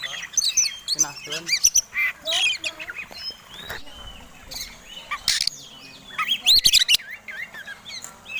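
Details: Oriental magpie-robin in fighting song that provokes other birds, bursts of sweet whistles mixed with harsh rasping notes and sharp clicks, separated by brief pauses.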